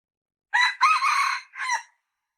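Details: Red junglefowl crow in quiet surroundings: a short hoarse note, a long grating sustained section, then a separate shorter closing syllable.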